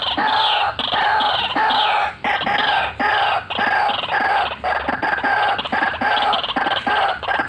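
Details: Actively calling white-breasted waterhen repeating harsh, nasal croaking phrases about once a second in a steady rhythm. Quicker choppy notes come in near the close.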